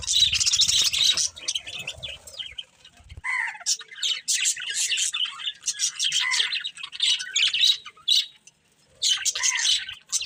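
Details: Pet budgerigars chirping in bursts of sharp high twitters and some lower squawky rising notes, with a short lull near the end before chatter resumes.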